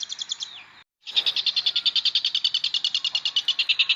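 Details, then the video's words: Long-tailed shrike (cendet) singing a rich song, used as a tutor recording for magpie-robins. A short rattle is followed by a moment of silence, then a long, rapid, even run of harsh pulsed notes. "Pentet istimewa.... isian oke banget"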